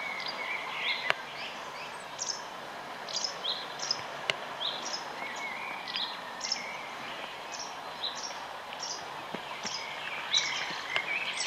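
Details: Horned grebe adult with chicks in Finland on 3 June 2020: thin, high peeping notes repeated about once a second, against a steady outdoor hiss with a few fainter chirps.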